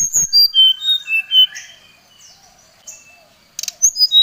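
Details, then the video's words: Brown-chested jungle flycatcher calling a rival: a cascade of clear whistled notes falling in pitch, a quiet pause with faint chirps, then rustling clicks and more high descending whistles. "srdc memanggil lawan"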